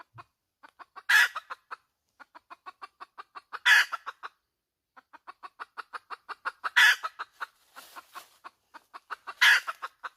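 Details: Hen in full cackle, fast rhythmic clucks rising into a strident, grating squawk about every two to three seconds, four squawks in all, with a brief pause midway.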